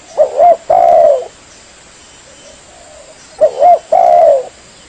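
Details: Spotted dove song used as a lure for trapping birds. Two matching phrases about three seconds apart. Each has a short double coo followed by a longer drawn-out mellow coo. Faint murmuring coos sound in between.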